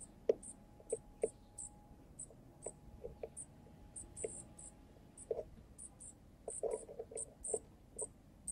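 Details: A baby junco, the first seen at a balcony bird feeder and being fed by a male junco, gives very high, thin, tinny notes about twice a second, with soft low taps and clicks behind.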